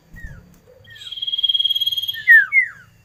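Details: Common iora singing a pulsing buzzy trill that swells, then two loud falling slurs, with faint softer slurs before. Low rumbling knocks sound at the start.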